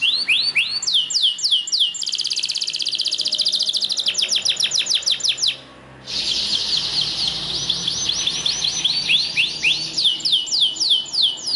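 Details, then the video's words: Belgian canary song for training other canaries to sing: descending whistled sweeps, then a dense rolling trill, a short silent break, and another fast trill ending in slurred notes. "CANTO PARA ESTIMULAR CANÁRIO BELGA A CANTAR - Canto de Canário Belga"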